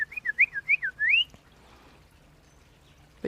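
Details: A House Finch gives a quick, bright warble of looping whistled notes ending in a rising slur, possibly a young male practising song late in the season, then falls silent; a faint click follows.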